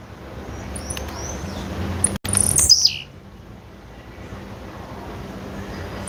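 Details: Single female blue-black grassquit call: a thin, high slurred note dropping quickly and ending in a brief buzz, preceded by faint distant chirps and followed by steady low hum.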